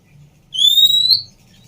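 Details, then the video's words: A single clean whistle from a female Oriental magpie-robin climbs gently in pitch for under a second. The call is used to coax a bird back into song. Only a faint low hum lies beneath it. "Siulan Burung Kacer Betina Cocok Untuk Terapi Macet Bunyi"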